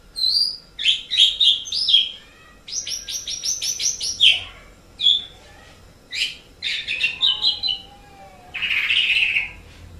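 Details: Asian pied starling song used as tutor recordings for pet songbirds: loud bursts of clear whistles and rapid stacked chattering notes, a long harsh buzzy phrase near the end, with short silent gaps between phrases.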